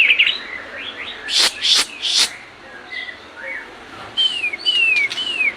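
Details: Captive-training song of the white-rumped shama. Slurred whistles and three harsh, noisy bursts lead into a quieter gap. It ends with three clear, descending whistled phrases.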